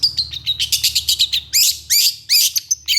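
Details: Long-tailed shrike in a harsh, rapid outburst: a steady train of scratchy chips speeds into louder rasping bursts with sweeping whistles, over a faint low hum.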